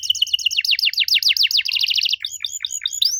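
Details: Canary song used as a lure to make young canaries answer: a rapid run of high, rolling down-slurred notes, about three a second, switching after two seconds to a slower set of rising whistled syllables.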